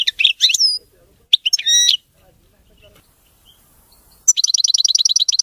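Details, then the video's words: European goldfinch song, clean and error-free: twittering phrases with a drawn-out high whistle, buzzy chatter, a pause, then a fast, even metallic trill of repeated pulses. "تغريد ملك الطيور المغردة الحسون (المقنين) نظيف وخالي من الأخطاء"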